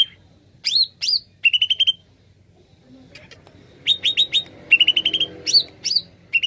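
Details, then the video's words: Energetic greater green leafbird song meant for luring wild birds: high rising whistles and fast runs of clipped chirps, a quiet gap in the middle before the phrases resume. "Kicau Cucak ijo gacor paling ampuh pikat bunyi burung bahan"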